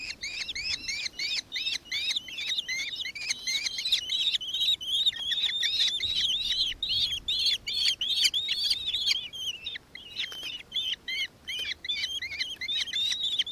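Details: Nankeen Kestrel in Victoria, Australia, on 4 December 2024, gives a shrill, rapid chatter of sharp, high notes, about three per second, run together in long excited bursts; faint low background noise.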